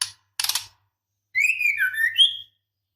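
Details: Female white-rumped shama in breeding condition calls the male: a rattling burst of clicks, then a level whistle that drops and climbs again at the end.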